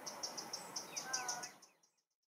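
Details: Eurasian wren in a London park giving its alarm call, a loud "teck teck teck" raised on spotting a potential enemy such as magpies or crows near the nest: rapid clicking notes repeated about six per second, over traffic-like rumble.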